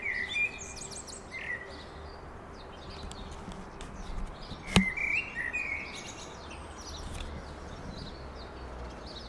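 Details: Magpie calling on an afternoon walk, giving a few short, fluted whistled phrases, with a brief burst near the middle. Fainter chirps from other birds, a sharp click and a low background rumble.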